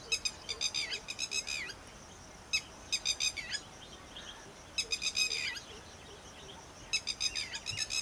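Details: Red-wattled lapwing (Vanellus indicus), call.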